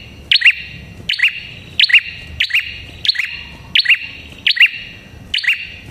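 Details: Red-headed prinia (prenjak kepala merah) used to lure prinias: a fast, insistent series of about nine piercing doubled chirps, roughly one every 0.7 seconds, with bright ringing tails.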